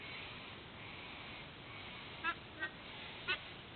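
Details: White-bellied sea eagle at its nest in Sydney Olympic Park, Australia, 06:04 on 13 October 2024: three short, harsh, goose-like honks in the last second and a half, over a steady background hiss.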